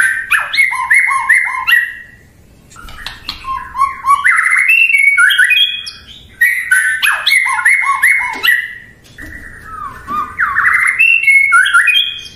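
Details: White-rumped shama, locally murai batu, a popular kept songbird, sings bursts of rapid repeated whistles and lower echoing notes, interspersed with varied phrases and high clicks, several seconds each with short pauses.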